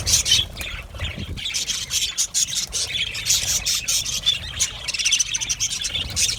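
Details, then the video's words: Budgerigars in an aviary colony producing a steady mix of thin chirps, squeaks and grating warbles, many voices overlapping, a little softer than the loudest chatter. "Budgies birds chirping sounds"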